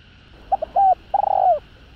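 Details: Spotted dove, cooing phrase used to draw out wild males: two quick soft notes, a smooth held note, then a long trilled coo that starts rolling and slides down at the finish.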